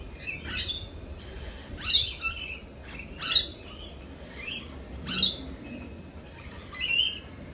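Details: Lorikeets at a cafe giving sharp, shrill, buzzy screeches, single loud bursts spaced one to two seconds apart, each brief and high, over a quiet background.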